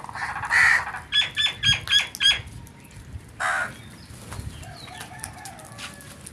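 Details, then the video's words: Crow calling in the morning: one harsh opening note, then a quick run of five raspy caws in just over a second, a further harsh caw after a short pause, with faint other birds behind. "Crows Sounds"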